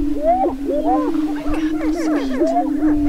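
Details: On a Minnesota lek near Crookston in late April 2013, Greater prairie-chickens perform their spring mating dance: an unbroken low droning tone with quick looping, up-and-down whoops from several birds piling on top.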